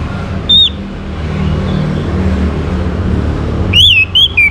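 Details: Orange-headed thrush song used as a lure to prompt other birds to sing: one loud whistled note early, then three clear, slurred whistles close together near the end, over a steady low rumble like traffic.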